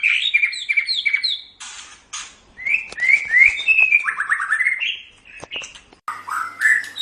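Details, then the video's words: Training recording of a white-rumped shama singing: rapid repeated whistled notes, loud sharp clicks, then a descending series of slurred whistles and a fast stuttering trill, ending in further warbled phrases. "SUARA MASTERAN - Ocehan Burung Murai Batu"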